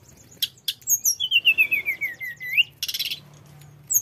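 A flycatcher sings a high, fast phrase: sharp chips, then a run of about a dozen quick slurred notes rising at the end, and a harsh buzzy burst.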